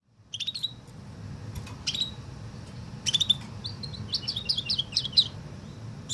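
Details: Canary singing a Woodlark-style song, as its Greek name Tourli suggests: scattered high chirps and short whistled notes, then a faster run of clipped high notes near the end, over a low background hum.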